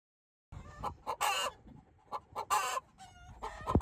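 Chickens cluck in a quick run of harsh, throaty bursts, about six in under four seconds, some longer and grating, others short and clipped.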